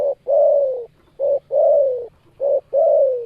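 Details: Spotted dove, known locally as tekukur, giving a loud, low cooing call: a short coo followed by a longer, slightly falling coo, the pair repeated three times in a steady rhythm, with nothing else heard.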